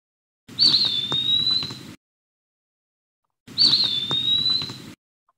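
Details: An Eastern wood-pewee, a forest bird, sings two identical high, slurred whistles, 'pee-wee', each dropping slightly in pitch, about three seconds apart, over a faint low hiss.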